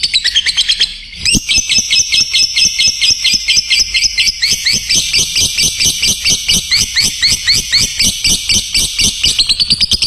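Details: Song of a lovebird, recorded to train other lovebirds: after a short pause, a long run of sharp, high, rattling chatter notes delivered in a steady, rapid stream.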